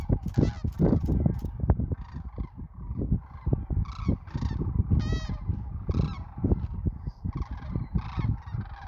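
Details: Sandhill cranes massed south of Wood River, Nebraska, during the 2024 spring migration. Loud rolling, trumpet-like rattles from many birds overlap without pause, with a prominent bugle midway and a deep rumble throughout.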